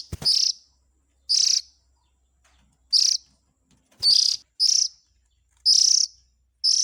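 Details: Oriental magpie-robin chick calls serving as a lure for the parents: seven scratchy, buzzing rasps come at uneven intervals. A faint low hum sits underneath, and there is a brief knock at the start.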